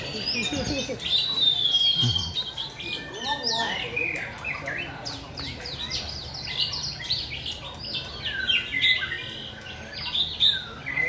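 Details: Rhythmic song of a white-rumped shama: a long, thin high whistle opens, then a lively series of bright slurred whistles, chips and fast trills, with faint voices heard behind the bird.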